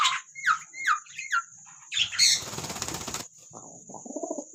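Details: Ringneck parrot gives a series of harsh squawks, each sliding down in pitch, then a burst of wing flapping; a steady high buzz runs underneath.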